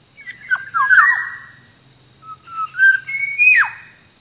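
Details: Oriole lure call for drawing wild black-naped orioles: a cluster of quick whistles, a pause, then a rising whistled series ending in a steep downward swoop, steady thin high tone throughout.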